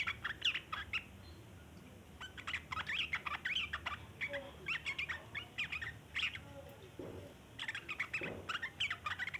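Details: Sooty-headed bulbul in long 'ngeriwik' chattering, used as a lure for other bulbuls: near-continuous scratchy, tumbling notes in rapid bursts, a brief lull after the middle, then renewed chatter; faint lower whistles between.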